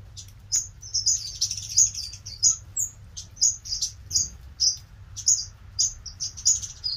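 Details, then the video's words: Captive finches in an aviary chirping busily, sharp high tweets coming roughly every half second with uneven spacing, sometimes doubled, against a constant low rumble. "Finches in the Aviary"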